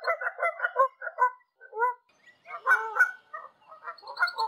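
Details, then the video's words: Canada geese in flight over wide open space in Canada, giving bursts of nasal honks, several in quick succession, then a few separate calls and a second busier burst of overlapping honking. "Canada goose sounds in large space somewhere in Canada. Wild goose call in flight."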